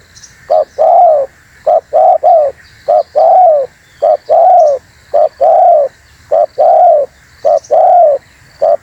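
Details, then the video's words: Spotted dove giving a vigorous lure call used to draw other birds in: rhythmic mellow coos, short notes paired with longer drawn-out ones, about one a second, over a steady high background hum. "Suara TERKUKUR GACOR ‼️semua burung pada ngumpul"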